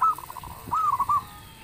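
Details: Brief snatch of local zebra dove song, loud enough to make other birds answer: a row of soft pulsed notes followed by a short wavering coo phrase.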